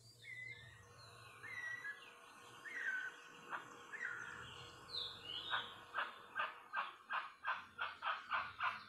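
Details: A guan (jacu or jacuaçu) gives a run of loud, harsh honking notes that speed up to about two or three per second, preceded by thin whistles from other birds.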